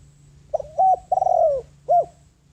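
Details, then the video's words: A decoy spotted dove coos to draw wild doves in. Four low notes: a brief opener, a sustained coo, a wavering descending coo, then one short closing note, with a faint constant hum beneath. "Tiếng Chim Cu Gáy Mồi Đất Gáy Gọi Bổi, Chiêu Bổi"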